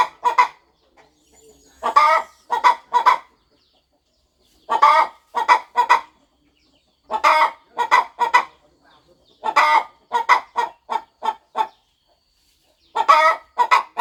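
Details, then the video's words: Farm hen settling on her nest as she prepares to hatch eggs, giving bursts of rapid raspy clucks, usually three to five per group, with silent gaps of one to two seconds between groups. "Hen Clucking Sound Effect! Mother Hen Gets Ready to Hatch Her Eggs"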